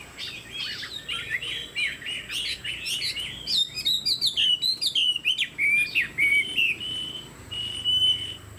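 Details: Chinese hwamei with a fanned tail and tall posture, a kept songbird, pouring out a rapid run of varied whistled notes, then clearer slurred whistles and sustained high phrases toward the end.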